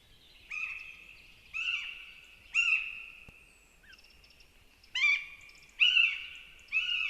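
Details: At a Northern goshawk nest in Zemgale, Latvia, two chicks give thin, drawn-out, high whining calls, each about a second long and repeated roughly once a second, begging as their mother feeds them bird prey.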